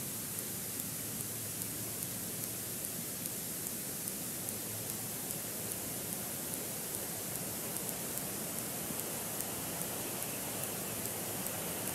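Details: Steady broadband hiss like static or wind, with no animal calls heard.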